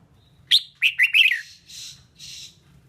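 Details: A female red-whiskered bulbul sings to fire up males. One sharp high note, then a quick tumbling run of bright warbled chirps, followed by two soft breathy rasps, over a faint low rumble.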